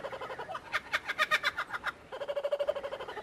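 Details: Laughing kookaburra calling in loud, harsh, broken bursts of 'ha-ha' notes. A short pause follows, then a quicker, steadier run of rolling chuckles.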